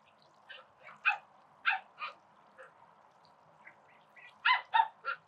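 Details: Call ducks at a spray pool give loud, nasal, harmonic quacks in uneven bursts: scattered single calls early on, then a quick run of four near the end, with little background noise between.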